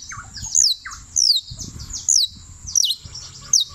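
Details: A canario criollo, hailed as champion, from Turbo, Antioquia, sings five clear high notes slurring downward, separated by pauses, with softer lower notes in between and some low background rumble.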